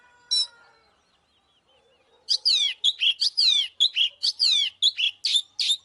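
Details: Oriental magpie-robin, fighting-provocation song: one sharp note, a near-silent pause, then an energetic stream of loud falling whistles and chirps repeated about twice a second.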